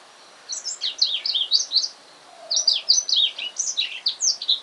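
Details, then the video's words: Newly purchased male black-throated canary singing at home in the afternoon; two phrases of high, rapid, slurred chirping notes with a short gap between. "Serinus Atrogularis - blackthroat finch"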